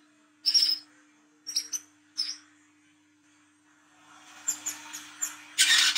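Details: Olive-backed sunbird, the 'wiceh trotol' type, singing 'ngriwik' at night as a lure for young birds: thin high sharp chips, then a pause, then quick whistled notes leading into a loud scratchy burst, over a faint constant hum.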